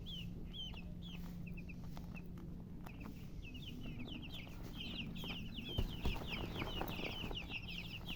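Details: Chirping colour chickens with a hen: scattered high peeps at first, building into a fast, busy chorus of overlapping short chirps, with a steady low hum and a couple of soft knocks.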